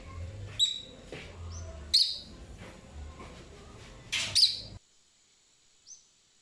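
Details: Pet lovebird singing while exploring, giving sharp, high, clipped chirps in short bursts about two seconds apart, with a low background hum and a quiet gap near the end.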